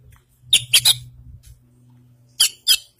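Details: White-breasted Kacer Poci form of the Oriental magpie-robin from East Java in full isian song: a quick cluster of three harsh chirps, a pause with a faint low hum, then two more sharp notes.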